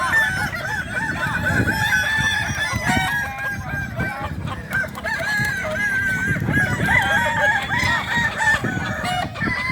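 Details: Balenggek roosters at a crowing competition at Danau Bawah, Solok Regency, on Sunday 6 October 2024. Several overlapping long, wavering tonal crows run almost continuously over a steady low rumble of crowd noise.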